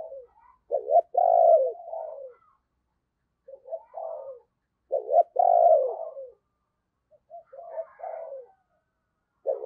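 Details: Morning decoy spotted dove crowing to lure wild birds: three cooing phrases about two and a half seconds apart, each starting with short notes and swelling into a loud, rolling low coo. Otherwise quiet.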